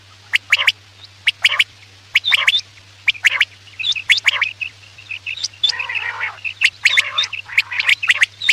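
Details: Quail calls meant for hunting at night: sharp clicky notes and short high whistles, then a thicker patch of rasping chatter, all at an uneven rhythm.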